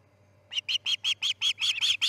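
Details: Osprey calling at the Charlo nest as a chick fledges, dawn on August 10, 2018: after a pause, a fast, accelerating string of about nine harsh, piping chirps over a faint low hum.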